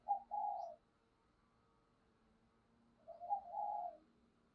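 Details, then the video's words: Decoy spotted dove calling to rouse wild doves: two distant, mellow coo phrases about three seconds apart over a steady low hum. "Chim Cu Mồi Thúc Và Gáy Gọi Kích Bổi Nhanh Gáy"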